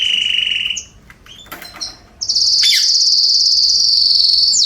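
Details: Canary song from a garden, September 2020: a steady lower trill, brief scratchy notes and a short gap, then a long, loud, very high buzzing roll sustained to the end.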